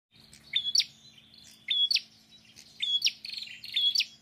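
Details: Several quick prinia phrases, short whistles each capped with a sharp buzzy note, arriving in irregular bursts across four seconds, with a low steady hum underneath.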